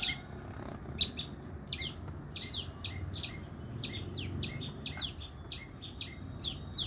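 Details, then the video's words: Tailorbirds chirping: short, sharp, high notes repeated rapidly in uneven bursts, several slurring downward, over a steady faint hum and low background rumble. "Orthotomus( tailor birds) : enjoy the sweet chirping sound of these birds"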